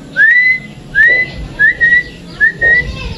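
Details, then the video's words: Sooty-headed bulbul, a tame kept bird, giving loud clear whistles: four rising slurred notes, roughly one every three quarters of a second, the later ones flatter and doubled, over faint background chirps. "Perawatan Burung Kutilang Yang Jinak Supaya Suaranya Gacor"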